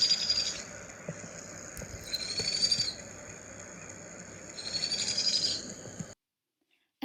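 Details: A Powerful Owl chick gives its trill, a call all Ninox owl chicks make and sweeter than other owl chicks' harsher trills: three high, slightly rising trills about two seconds apart, over faint background hiss.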